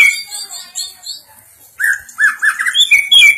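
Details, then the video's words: Caged greater green leafbird being trained, singing loud clear whistled phrases: high notes, a pause, then a run of repeated slurred whistles near the middle pitch, ending with higher sharp notes. "Melatih cucak ijo"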